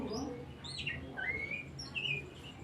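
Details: Oriental magpie-robin singing as a lure for other songbirds: a long upward-curving whistle followed by a high slurred note, with soft lower sounds underneath.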